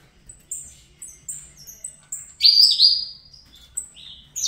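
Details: Captive-bred young saffron finch, fibra line from Brazil, giving sharp high chips and short whistled notes, then a loud swooping, downslurred buzzy phrase, followed by quieter high notes.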